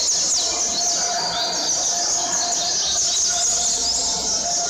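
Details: Caged Double-collared seedeater kept as a companion bird, in a session ending with 147 songs; high, continuous whistled warble with quick downward and upward sweeps running the whole time, over a steady background hiss.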